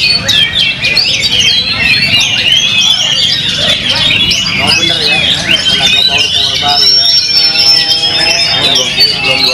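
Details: Oriental magpie-robin (kacer), a caged contest bird just after its first moult, singing a dense, rapid stream of varied whistled and chattering phrases with sliding notes and a long held high whistle near the end, over murmuring voices and background noise.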